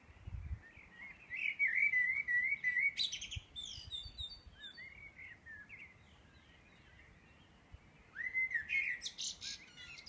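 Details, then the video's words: Birds singing in Edinburgh at 4am on 9 May 2014: warbled phrases around mid pitch with high sharp chirps overhead, two bursts separated by a quieter gap, faint low rumble underneath. "Edinburgh Birdsong"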